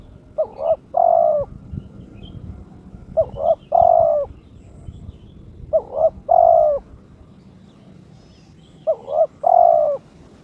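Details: Caged turtle dove in breeding condition challenging a rival, repeating the same phrase four times about every three seconds: a short doubled coo followed by a longer, louder coo, with quiet pauses between.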